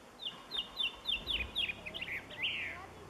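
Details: Song of the blue chaffinch: five crisp, down-slurred notes repeated about four times a second, followed by a rougher, warbled ending phrase. Low rumble sits underneath.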